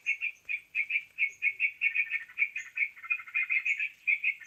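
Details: Lure recording of sooty-headed bulbul for trapping birds: busy, bubbling chirps in quick rhythmic bursts, some doubled, with thin high whistles slipping in now and then.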